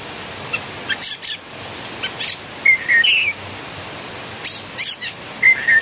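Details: Philippine bulbul, a noisy singer, giving scratchy chirps and short whistled notes that rise and fall, spaced irregularly over a faint hiss.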